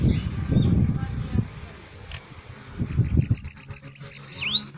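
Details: Bananaquit singing: after a stretch of low rumbling background noise, a high, thin, buzzy trill of rapid even notes ends in a quick swooping down-and-up note.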